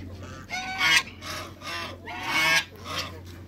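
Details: A pair of African geese in a backyard with other waterbirds, giving loud harsh honks in two bursts about a second and a half apart, each a rough broadband blare; steady low hum underneath.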